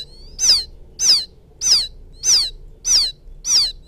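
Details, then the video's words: Six strong, high-pitched, downward-sweeping peeps from a young field quail calling its mother. They repeat with clockwork regularity about every sixty hundredths of a second. "Suara pikat anak burung puyuh memanggil indukan,suara anak puyuh ladang,puyuh sawah"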